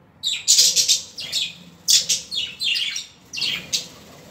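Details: Budgerigars chattering nonstop with dense, bright, scratchy high notes that run together in quick clusters.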